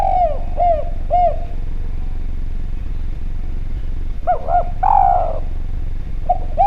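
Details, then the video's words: Javan spotted dove calling steadily for a lure recording: three evenly spaced short coos, a quiet gap, then quick looped coos leading into a long falling coo and a last short note, with low rumble behind. "Derkuku Djawa Gacor Suara Bening, Spesial Suara Pancingan"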